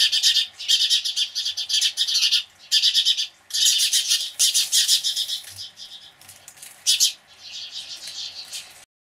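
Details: Flock of house sparrows screeching in response to a Cooper's hawk: clustered, harsh chirps arriving in choppy bursts of a second or so, broken by brief gaps, with scattered single notes and a sudden stop at the end.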